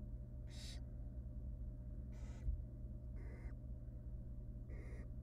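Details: Wild barn owl nestlings begging in a monitored nest box while their mother feeds them tiny pieces of rabbit; four harsh, broadband hissing screeches spaced about a second apart over a steady low electrical hum.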